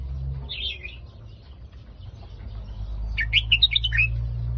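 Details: Red-whiskered bulbul in the Phetchaburi song style gives a short slurred warble, falls quiet over steady low rumble, then delivers a louder, quick run of clear, chirpy whistled notes rising and falling.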